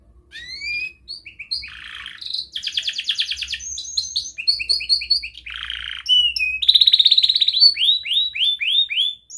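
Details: Young domestic canary singing a long varied song, used to train other canaries: rapid trills, buzzy rattles and descending whistled slurs in quick succession, faint low hum beneath.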